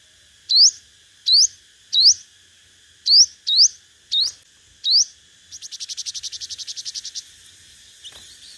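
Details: Lure recording of a five-coloured sunbird in competitive song: seven sharp rising notes spaced under a second apart, then a rapid buzzy trill of even pulses lasting about two seconds.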